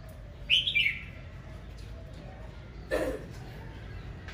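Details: Red-whiskered bulbul singing aggressively in the morning, a short bright warbled phrase sliding down from high pitch, followed by a lower thump-like note and a quiet pause.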